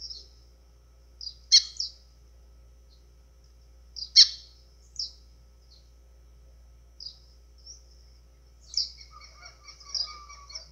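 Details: White-throated seedeater, azulão-style song used to fire up birds: a few sharp high chips separated by pauses, then a run of quick thin twittering notes near the end.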